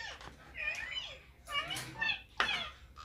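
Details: Green ringneck parakeet talking on a mobile, indoors: a few high, strained speech-like syllables with harsh, breathy edges, separated by short quiet gaps.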